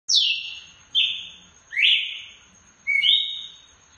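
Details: Red-cowled cardinal calling loudly in the açoite style: four strong whistled notes, each dropping sharply in pitch then trailing off, spaced about a second apart, over a steady faint high-pitched whine.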